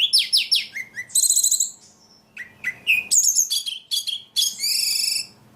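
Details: A very actively singing ledekan delivers descending slurred whistles, a high buzzy rattle, scattered sharp chips and a string of high trilled phrases, with short gaps between bursts.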